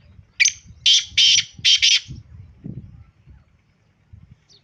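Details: Purebred Sindhi-type black francolin delivering a rasping call of four or five grating bursts in quick sequence, followed by low rumbling handling or background noise.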